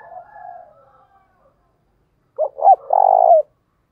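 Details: Lure calling by a decoy spotted dove in thúc bổi style, meant to draw wild doves: a fading low note, a pause, then two quick clipped coos and a drawn-out vibrating coo.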